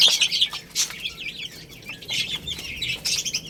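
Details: Playing chicks eating rice produce clustered high, wavering peeps in short bursts from several birds, with a quieter spell midway.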